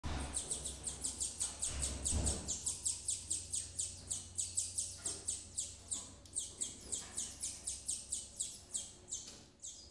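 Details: Female double-collared seedeater in a breeding facility feeding her chicks: rapid high, thin chirps repeated about three times a second in an uneven series, with a low rumble in the background.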